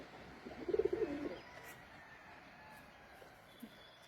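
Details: A domestic pigeon with chicks gives a brief run of low, throaty cooing pulses at dawn on a cold, heavily foggy morning in rural Rangpur, Bangladesh, with chickens nearby, then quiet with a faint distant chirp.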